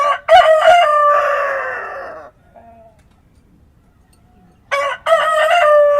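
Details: Rooster at dawn on a farm crows twice: the first is a stuttered opening and a long, descending call of about two seconds. After a quiet gap, the second begins the same stepped pattern.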